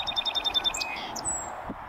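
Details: North American song sparrow singing on a northern USA prairie: a quick series of repeated high whistled notes, then a short burst of sharper, higher notes ending in a thin, fading whistle, over a wind-like rushing background.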